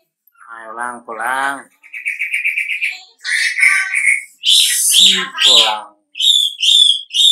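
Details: Wambi lure recording to provoke other wambi to answer: harsh buzzy rattling notes at first, then a held steady whistle. Louder ringing chirps follow and a sharp rasp, ending in three short bright whistled phrases separated by pauses.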